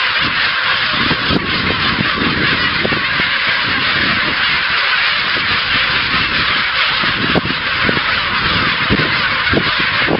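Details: A very busy kelp gull colony with big chicks, at the end of January, fills the air with a dense, unbroken chorus of harsh, honking calls from many birds at once.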